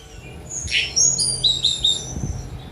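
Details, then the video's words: Brief Sunda robin song fragment: a buzzy note followed by a run of clear high whistles stepping downward, over a faint low hum. "Tledekan Gunung Speed Mewah"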